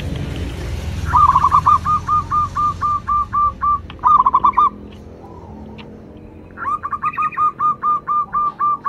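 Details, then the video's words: Local zebra dove (perkutut lokal), a loud, crystal-voiced singer used as a lure to get other doves singing. It gives rapid staccato trills of short, even, mid-pitched notes, about four a second, in two bursts over low rumbling background noise. "cukup sekali dengarkan perkutut lokal ini manggung"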